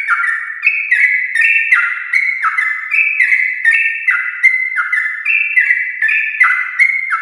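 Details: Sooty-headed bulbul singing a long, continuous 'ropel' song in the morning, meant to stir other bulbuls into singing: rapid chains of bubbly, slurred notes, each dropping at its end, overlapping in dense layers without pause.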